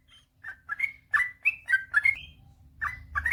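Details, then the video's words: Gacor ropel panjang song of a sooty-headed bulbul, a master track for birds that have stopped singing: chattering, liquid whistled phrases sliding up and down, delivered in rapid clusters with a short pause near the end. "suara burung trucukan gacor ropel panjang"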